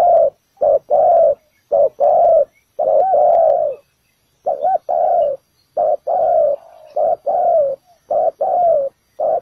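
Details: Spotted dove used as a lure at a ground trap gives a long series of deep coos, short and long notes alternating in pairs, one stretched note near the middle, with a brief silent break around four seconds in.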